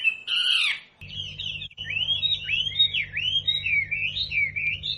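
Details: Wambi song used as a training recording for caged birds: a loud harsh burst, then a continuous run of whistled notes that swoop up and down in a wavering chain, over a steady low hum.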